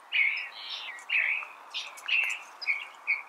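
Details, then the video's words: California thrasher giving a short string of drawn-out, slightly harsh whistled phrases, about six notes in three seconds, over a soft background hiss. "California Thrasher Bird Sound"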